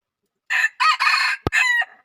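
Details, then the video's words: Red junglefowl giving a loud, hoarse crow in four clipped syllables with an abrupt ending. A sharp click breaks in just before the final syllable, over a quiet background. "Suab lau qaib qus qua zoo heev"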